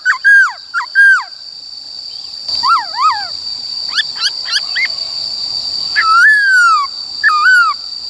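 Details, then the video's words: Laughingthrush forest-style song meant for training young birds: loud downslurred whistles, a cluster of quick rising and falling notes, then a long descending whistle, over a persistent high background tone. "Khướu Bạc Má HÓt Giọng Rừng Bao Phê Luyện Giọng Chim Bổi Ép Giọng Chim Non"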